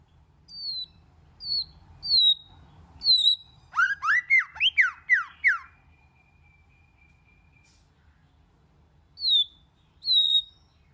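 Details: White-rumped shama singing in many voices: clean high whistled notes sliding downward, spaced about a second apart, interrupted by a quick run of rising and falling whistles, then more single whistles after a pause.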